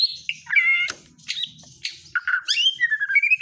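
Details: Song of a white-rumped shama carrying kapas tembak fill, a quick jumble of rich whistles, harsh notes and rising slurs delivered in short bursts.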